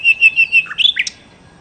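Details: Nightingale (sikatan londo) singing: four clear, level whistled notes in quick succession, then a short burst of lower slurred notes and sharp rising and falling chirps, ending abruptly into quiet.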